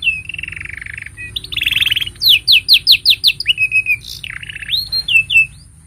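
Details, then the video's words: Canary song used to train young canaries: a buzzy rolling trill opens, then about ten loud rhythmic rising notes, a lower warbled trill, and brief whistled phrases fading out. "Kenari Gacor Panjang Ini Bagus Untuk Masteran Kenari Paud Dan Pancingan Kenari Bisu"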